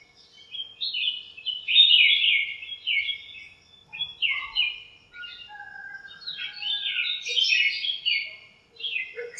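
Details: Birds in a home backyard lemon tree on a cool, sunny morning, chirping as they interact; rapid, high twittering runs mixed with a few thinner, lower whistled notes.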